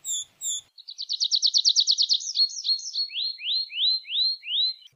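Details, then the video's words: Tree pipit song building from an accelerating trill into four slow, drawn-out rising slurred whistles spaced about half a second apart. "tree pipit sound صوت جشنة الأشجار"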